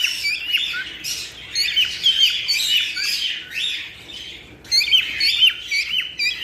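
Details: Overlapping cockatiel chirps and short whistles, played to stimulate mating, come in lively bursts with a softer lull past the midpoint before the chatter returns strongly.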